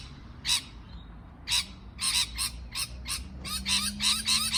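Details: Parrot calls starting as spaced single raspy chirps, then speeding into a dense run of overlapping harsh notes, with a faint whistle and a low droning tone late on.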